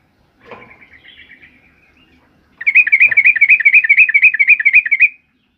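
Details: Yellow-vented bulbul of the kebo type, very vocal in the morning. A soft chattering phrase gives way to a loud, fast, even trill of about four notes per second, with faint low knocks underneath.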